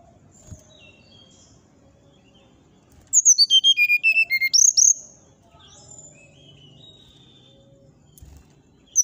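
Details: Morning song of a brown-chested jungle flycatcher: about a dozen rapid, ringing whistles dropping in pitch, then an upward swoop, with softer scattered whistles before and after.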